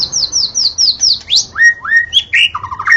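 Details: A white-rumped shama sings in the forest, opening with a fast run of high descending whistles, then lower rising slurs and a short rapid trill.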